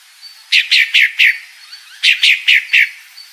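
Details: Two quick groups of four harsh, downslurred chirps from a calling female pale-breasted thrush, the groups about a second and a half apart.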